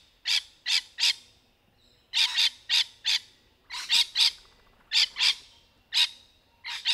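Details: Rainbow lorikeet, natural sound from trees: grouped harsh screeches in clusters of two to four, strident and broadband, repeated across the recording.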